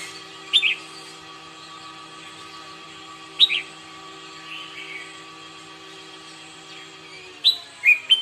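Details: Morning song practice of a red-whiskered bulbul: sparse brief whistled bursts separated by long quiet gaps, the final phrase a fast pair of sharp notes, with steady background hum.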